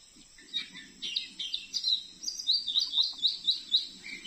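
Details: Wild Oriental magpie-robin caught on a glue stick in front of a house, still singing and challenging a decoy bird; bright, high chattering notes building into a rapid series of clear repeated whistled phrases, about two per second.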